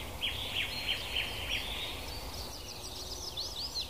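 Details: African lovebirds calling in a natural outdoor setting: a run of shrill, high chirps repeated about every third of a second, then a faster, higher twittering chatter of several quick rising and falling notes, over a steady low background hiss.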